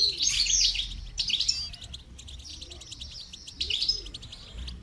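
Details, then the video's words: Goldfinch song for song training: loud bursts of tinkling, buzzy twitter at the start, then softer scattered chirps and another twittering burst near the end. "Motivational rewards for training goldfinch to song"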